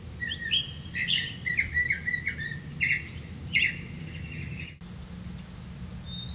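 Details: Black-bellied malkoha feeding young in the nest: clustered high chirps and buzzy squeaks for several seconds, a sharp click, then a long thin descending whistle, with a steady low hum beneath.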